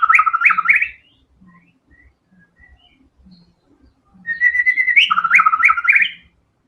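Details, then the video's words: A murai batu (white-rumped shama), singing prolifically in the 'tembakan' style, delivers a burst of rapid leaping whistles. A quiet gap with soft scattered notes follows, then a long steady whistle breaks into another fast, jerky run. Low thuds sound in the background. "TEMBAKAN MURAI BATU GACOR BONGKAR SEMUA ISIAN FULL FIGHTER"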